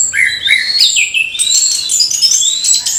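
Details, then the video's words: Orange-headed thrush singing in the morning, played to spur young thrushes into song; rich, varied phrases slide and warble between mid and high pitch, overlapped by a steady piercing high whistle repeated in the background. "ANIS KEMBANG GEMERCIK SUARA DIPAGI HARI, MENAMBAH SEMANGAT ANIS MUDA BUKA PARUH"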